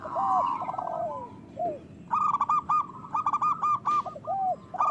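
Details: Zebra dove of a local strain singing strongly, played to encourage other doves to sing and breed: slurred coos, then a rapid string of clipped, bouncing notes over constant background hiss.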